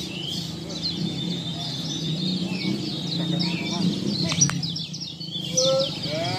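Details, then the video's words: Lombok kecial song recorded as a training track for caged songbirds: rapid, high chattering twitters that run on without a break, joined near the end by louder, lower squeaky notes from other birds over a low rumbling background. "masteran kecial lombok"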